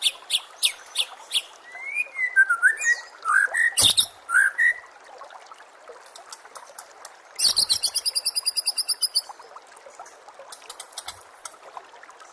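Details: White-rumped shama song for training contest birds: sharp high notes, then a few fluty slurred whistles, followed later by a fast buzzy rattle of rapid repeated notes.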